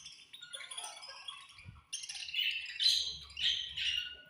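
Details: Budgerigars at feeding time chirping in a flock, with bright overlapping warbles and chatter, short scratchy bursts and a busier second half.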